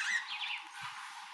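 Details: Meves's starlings taking a morning bath in Mashatu Game Reserve, Botswana, give two or three quick, harsh, squawky notes in the first half-second, followed by a broad hissing wash like splashing water.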